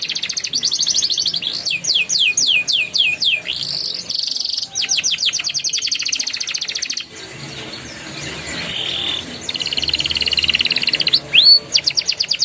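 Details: Prompting song of a young canary in the chattering and rolling style: bursts of bright trills and hooked upward sweeps, a quieter hissy stretch in the middle, then a rising whistle and more rapid notes at the end.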